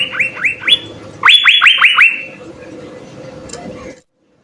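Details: Short excerpt of Asian fairy-bluebird song with fill-in phrases, intended as master audio for training songbirds. Two brief groups of rising whistled notes, then faint background murmur before silence.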